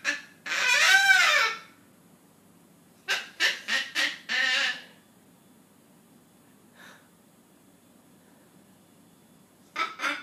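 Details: Pet Triton cockatoo that laughs along with a comedy on screen: an opening harsh, wavering screech, later a quick cluster of raspy laughing syllables, a long quiet stretch, and a final short burst.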